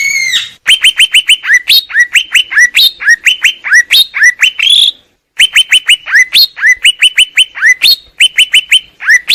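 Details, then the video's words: Greater green leafbird singing loud, sharp downslurred whistled notes in rapid even series, briefly pausing midway before resuming the same repeated pattern. "Cucak ijo"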